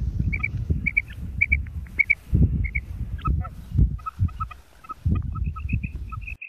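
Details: Female quail calling: paired short high clucking notes repeated roughly every half second, then a lower, steadier run of single chips, over loud low rumbling and handling or wind noise.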